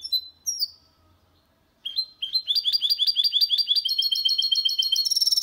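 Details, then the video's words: Goldfinch × canary hybrid singing a clean, error-free song, recorded in 2022 to stimulate males to sing and to teach young birds: high thin whistles, a pause, then a fast run of repeated twittering notes ending in a buzzy trill. "Mixto de Jilguero Cantando Limpio"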